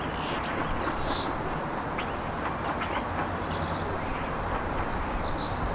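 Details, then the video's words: Three common starlings singing: thin, high whistled notes with rising and falling slides, scattered through about six seconds over a steady, loud, low broadband rumble. "Трио из Скворцов"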